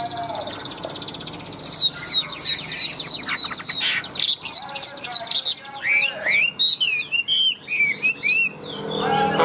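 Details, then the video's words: Chinese hwamei, tame and large, sings a varied stream: repeated clear whistles, then a rapid trill of high chirps and swooping slurred notes, loud and continuous over faint background noise. "Chim họa mi thuần - Bộ To - Hót hét rất tốt"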